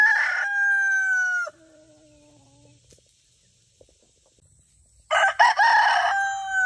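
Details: A Leghorn rooster's crow ends with a sharp drop, followed by a brief low trailing note and near silence, then a new crow bursts in with a harsh, stuttering start before settling into a steady strong tone.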